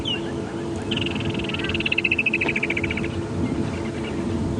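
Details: Woodland Kingfisher, a migrant bound to head back north, heard at sunrise on a safari drive: one sharp note, then a loud rapid trill of even pulses descending gradually over about two seconds, with vehicle hum beneath.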